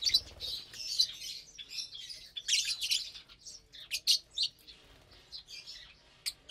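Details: A flock of lovebirds at morning feeding, Saturday 30 April 2022, on corn, kale, basil and seeds, chatter with a continuous stream of high, scratchy chirps and sharp squeaks, thinning out toward the end.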